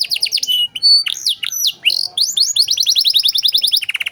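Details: Canary master recording, cengkok mewah style for tutoring other birds: scattered whistles and sweeps, then an even rapid trill of rising notes ending in a lower, quicker roll.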